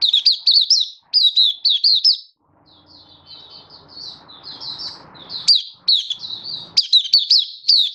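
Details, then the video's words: Caged Malaysian white-eye in Singapore on a warm sunny day, 20 March 2023: lively high chirped phrases, a softer run of thin warbled notes in the middle over faint low hum, then loud rapid chirping again. "Malaysian Mata Puteh Happy Buka Sing"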